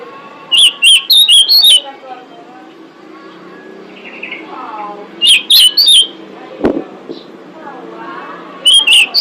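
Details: Female pied bushchat calling to lure males, giving three separate bursts of quick, bright whistled chirps in groups of four or five, with a single sharp click and soft distant bird twittering between bursts.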